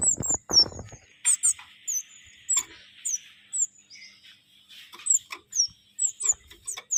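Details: Caged songbird's training song, a string of piercing high down-slurred whistles given singly and in pairs, with a brief buzzy rasp in the middle and a few clicks at the start.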